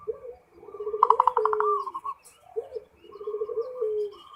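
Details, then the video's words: Zebra dove singing in the full ngerot style: low cooing notes with a quick stuttering trill near the start, then a held coo, a pause, and a second similar phrase. "SUARA PERKUTUT FULL NGEROT"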